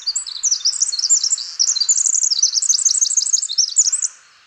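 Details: Male Pacific Wren in spring, singing in dense, shady forest at Peavy Arboretum and McDonald Forest in the Coast Range foothills. A territorial male that a neighbour answers, he delivers a long, very fast, high, tinkling twitter of rapid trills running over four seconds.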